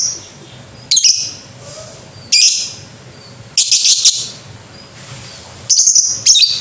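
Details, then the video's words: Loud, harsh lovebird screeches in long rasping bursts with shrill tonal edges. They come every one to two seconds with quieter gaps between. "Pasti Banyak Lovebird Ikut Bunyi"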